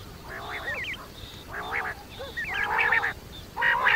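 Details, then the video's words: Night-time quail calling: fairly quiet, hoarse, grating bursts repeated roughly once a second, each mixed with short zigzag whistles, over a steady low background hiss. "batair rat wali awaz"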